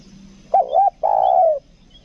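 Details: Caged 'kuk dua' spotted dove used for luring, from Lombok, delivering a single phrase of two short undulating hoots and then a drawn-out, gently descending coo against a quiet background.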